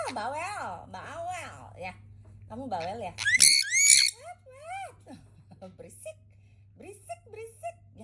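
A sun conure chatters high-pitched, speech-like words, broken by a shrill, piercing screech.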